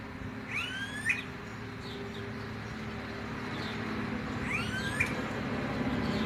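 Smooth-billed ani giving two whining, rising whistles about four seconds apart, over a steady low rumble of distant traffic.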